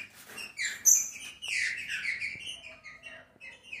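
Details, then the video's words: Green-winged saltator song meant to stimulate a captive bird to sing: a busy run of bright chirps and sweeping, partly overlapping notes, some very high and sharp, with mild background noise. "ESSE CANTO FAZ QUALQUER TRINCA FERRO CANTAR EM MINUTOS"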